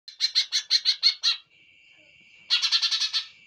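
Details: Greater green leafbird: a run of seven harsh, buzzy chattering notes in quick succession, a pause with only a steady high-pitched whine, then another fast burst of rasping notes.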